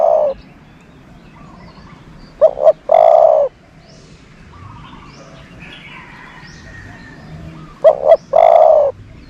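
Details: Decoy bird for attracting doves, delivering two coo phrases about five seconds apart, each a rapid double note then a longer, even, low-pitched coo.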